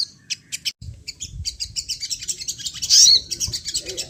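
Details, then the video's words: Sunda laughingthrush copying other birds with a rapid, continuous stream of high twittering chirps and thin whistled notes, plus a brief louder squeal near the middle, over soft low background noise. "SOGON GACOR || AHLINYA MEMANCING BUNYI BURUNG LAIN"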